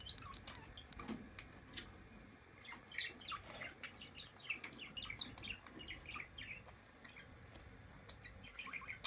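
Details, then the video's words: Two-day-old, newly hatched quail chicks peep constantly, a busy chorus of thin, high cheeps overlapping every fraction of a second, with a few louder clicks and soft handling noise. "2 GÜNLÜK BILDIRCIN YAVRUSU Yumurtadan Yeni Çıkmış"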